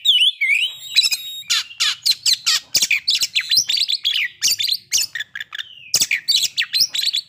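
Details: Oriental magpie-robin song, played as a lure to push other birds into breeding condition and aggression: dense run of varied whistled notes and sharp clicks, slurred falling phrases and rapid chatter with no pause.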